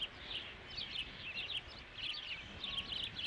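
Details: Osprey nest at Dunrovin Ranch on 3 July 2016, during the fifth fish delivery. Clear, high whistled chirps come in quick clusters, some slurred upward, against a quiet low background.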